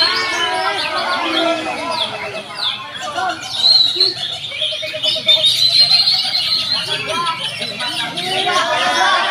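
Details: Several greater green leafbirds (Chloropsis sonnerati) singing at once at a songbird practice contest, a dense, continuous stream of bright, high chirps and whistled trills, with crowd chatter underneath.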